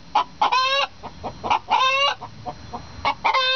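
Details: Egg song from two hens announcing an egg: short clucks alternate with long, loud, hoarse squawks about every second and a half, the pattern overlapping between the birds.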